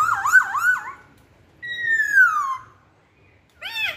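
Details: Masked laughingthrush giving lure song: quick looping whistles, then a long clear note sliding smoothly downward. It ends with a short harsh burst.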